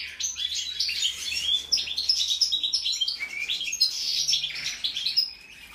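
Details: Sustained twittering from a European goldfinch called 'mixto': quick bright chirps, trills and rising slurred notes strung together almost without break, softening slightly at the end.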